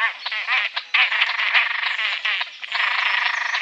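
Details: Great crested grebe giving loud, harsh, nasal rattling calls in dense bursts, broken by brief gaps and rising again, with no other clear sounds.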